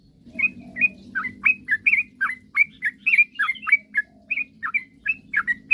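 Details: Sooty-headed bulbul singing to provoke rivals into answering: a continuous lively run of short, sharp chirps and slurred whistled notes, delivered about three per second with slight pitch changes, over a soft low background hum.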